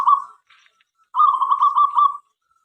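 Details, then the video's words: Local zebra dove song used to invite other doves to sing: a short fading purr, a pause, then a steady bubbling trill of about one second. "perkutut lokal gacor suara MENGGODA"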